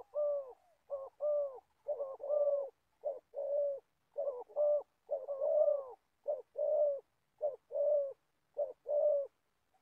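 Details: Spotted dove, an old caged decoy bird used to trap wild doves in Gia Lai, Vietnam, cooing with a good voice: steady series of short and longer hollow coos in pairs, about sixteen notes over ten seconds, in a quiet setting.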